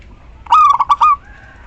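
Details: Female zebra dove of a local strain calling the male: one short phrase of four quick, throaty cooing pulses, slightly rolling and evenly spaced, lasting about two thirds of a second, then quiet.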